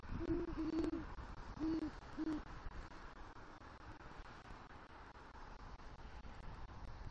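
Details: Great horned owl pair at a nest tree in Southwest Florida, night of November 3, 2023, the male calling for the female after bringing prey; four low hoots open the clip, followed by several seconds of hiss.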